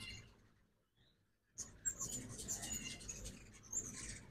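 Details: During fall migration, ruby-throated hummingbirds visit a backyard feeder in Oxford, Mississippi, one morning. After a near-silent opening second and a half, a rapid run of tiny, piercing high chips begins and continues over low background noise.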